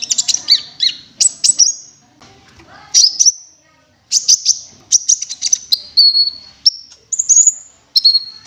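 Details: Cinereous tit lure calls: bursts of high, thin chirps followed by short level whistled notes, delivered in irregular clusters with short silent gaps, clear and close.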